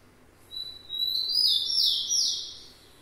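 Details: A tico-tico, or rufous-collared sparrow, sings a brief high whistle, then a run of clear slurred notes stepping downward in pitch, fading out after about two seconds. A low steady hum sits underneath.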